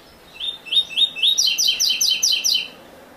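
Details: Classic song of a captive Double-collared seedeater (Coleiro Ouro Fino), the version without the third note used to teach young birds: quick run of shrill, buzzy, evenly repeated notes rising slightly in pitch over about 2.3 seconds.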